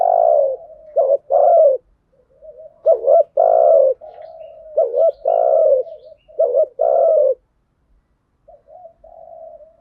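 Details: Spotted dove coos used as a lure to excite training birds, "thúc gù" and "gáy gọi" styles: strong repeated phrases of a quick double note and a longer mellow coo, trailing off into soft murmurs.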